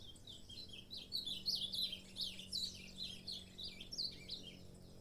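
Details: Saffron finch, called canário-da-terra, singing a fast, dense run of high, sharp chirps and short warbled notes, roughly three per second, over a steady low hum.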